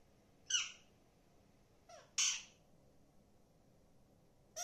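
An Alexandrine parakeet gives three harsh, raspy squawks spaced about two seconds apart. No clear spoken words come through, and the room is otherwise quiet.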